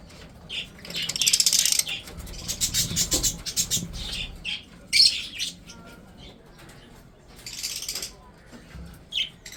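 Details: Breeding budgerigars chattering while they eat: scattered bursts of harsh, high chirps, a loud cluster early on, then shorter separate chirps spread across the rest.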